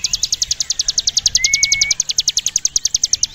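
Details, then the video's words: Ciblek gunung (Javan prinia) delivering a steady 'ngebren' burst, a fast even rattle of bright high notes about eight per second throughout, with one long level whistle from another bird near the middle. "Ciblek gunung gacor ngebren atas bawah"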